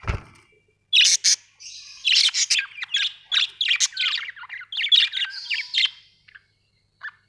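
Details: Pet budgies chatter in a dense, continuous stream of squeaky chirps and warbled notes lasting about five seconds, after a brief low knock at the start.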